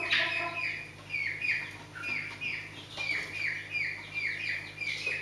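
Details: Scaled quail, also called blue quail, calling: repeated nasal two-part notes around every half second to second, several overlapping birds, over a steady low hum.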